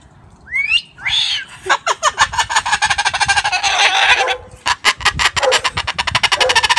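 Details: Pet Moluccan cockatoo, a male, at home laughing at children walking past the house, wanting them to say hi: a rising whistled note, then a long run of rapid, harsh laughing pulses with brief pauses.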